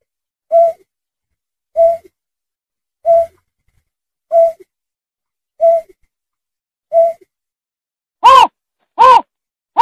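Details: A sandpiper (locally called berkik), recorded for use as a lure call, gives a low, hollow hooting note about every 1.3 seconds, six times evenly, then three louder, harsher notes in quick succession.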